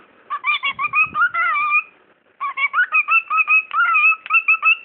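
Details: A pet talking bird produces two quick runs of speech-like syllables in a high, nasal voice, separated by a short pause; the owner says the bird asks "what are you doing?" followed by words the owner cannot make out.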